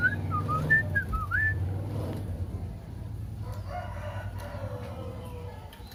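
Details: Sooty-headed bulbul kept in a cage for a long time next to an oriental magpie-robin, whose voice it imitates. It gives a short sequence of clear, rising and falling whistles, then falls quiet amid low rumbling background noise and faint distant chirps.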